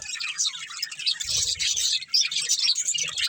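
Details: Playing budgerigars from a family group chatter in high, scratchy, overlapping chirps, with a short burst of low rumble partway through.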